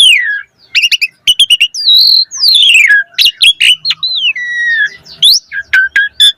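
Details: Asian pied starling in varied 'gacor' song, used to prompt starlings to sing: falling whistles, clicks, sharp chirps, long gliding whistled notes and harsh buzzy phrases in quick succession.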